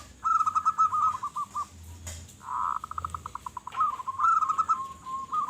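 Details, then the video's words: Local zebra dove singing loudly as a lure: phrases of bubbling coos that taper into spaced single notes, then a dense rolled burst breaking into a rapid stutter, with a soft background hiss. "Perkutut Lokal Gacor Suara Besar Suara Paling di Sukai Burung Perkutut apa Saja"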